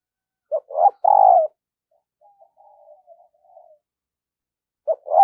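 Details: Decoy spotted dove in daily voice training to lure wild doves: two short low coos then a longer stressed coo, soft murmuring notes between, and the phrase starting again, deep and husky.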